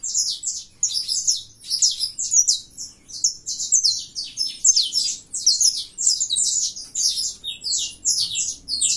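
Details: Saffron finch of a colour mutation singing persistently: long run of shrill, scratchy chirp groups repeated with short breaks, all very high in pitch.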